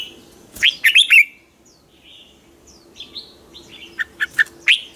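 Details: Red-whiskered bulbul in the morning, singing a chattering 'hót ché' competition song to train and stimulate other bulbuls. A loud cluster of sweet warbled notes comes first, then soft whistles and a few sharp chirps spaced apart.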